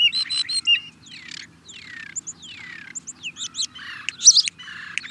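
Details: {'caption': 'European starling song: a rapid jumble of squeaky, buzzy phrases, descending slurred whistles, clicks and rattles, varied notes packed closely together with sharp high accents, over a faint low background hum.'}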